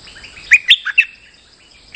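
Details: Moulting bulbul giving lure song: a lively phrase of four whistled notes, preceded by soft twittering, then about a second of quiet before a new phrase starts, over a constant high hum.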